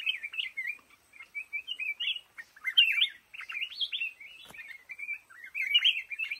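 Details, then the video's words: Bright, warbling song of a black-crested bulbul among lồ ô bamboo: clustered slurred whistles rising and falling in quick phrases, one sharp click midway. "tiếng chim hót trong bụi lồ ô"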